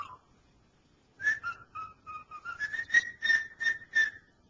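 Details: Pet cockatiel, male, whistling the tune "Dixie" indoors: a short series of clear whistled notes near one pitch, dipping slightly then rising, about a dozen notes over three seconds with a harmonic sheen.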